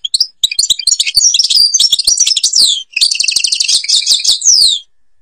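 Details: European goldfinch singing in the Babas forest, Tiberli, Algeria: a rapid, continuous stream of twittering, liquid and buzzy high notes with trills, broken by one short pause after about three seconds.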